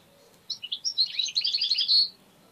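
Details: Pet European goldfinch, tame, singing strongly: a jumbled burst of high twittering, chirping notes tumbling together for about a second and a half, rising in intensity toward the end.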